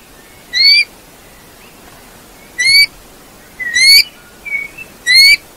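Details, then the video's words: Eurasian bullfinch giving clear rising whistled notes, four in a row spaced about one to one and a half seconds apart, with a short fainter note between the last two, over a soft background hiss. "chant de bouvreuils - song Pyrrhula - طائر الدغناش"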